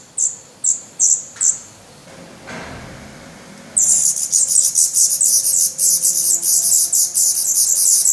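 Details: Hungry Black Redstart young in their Portuguese nest, 17 May 2020: four short high squeaks, a quiet pause with faint rustle, then a sudden prolonged chorus of rapid, raspy high begging notes.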